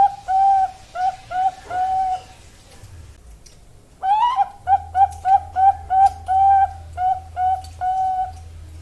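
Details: Female zebra dove (Bangkok perkutut) sings four coos, falls quiet, then bursts into a long, rapid string of about twelve ringing notes over a low hum.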